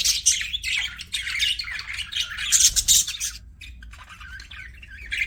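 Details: Pet budgies squawking and chirping, a busy burst of harsh, buzzy high chatter that stops abruptly after about three seconds, then softer warbling notes resume.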